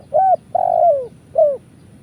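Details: Indonesian spotted dove call for luring birds to traps: a short steady coo, a drawn-out purring coo sliding downward, and a final brief descending coo, clear over faint low rumble.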